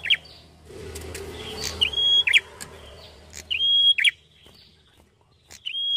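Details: A prinia, called a red-headed prinia, sings at full vigour, giving high, sharp whistled notes, each a level piercing tone with a snappy start, repeated every second or two over a faint low rumble.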